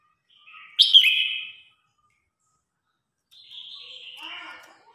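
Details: Red-whiskered bulbul in competitive singing, calling to its flock: a bright, warbled phrase that drops in pitch, then after a pause a softer, more scratchy phrase.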